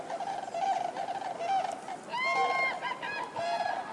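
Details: Common cranes in a continuous clamour of harsh, honking calls. A prominent rolling trumpet note rises and holds around two and a half seconds. Shorter overlapping calls come before and after it.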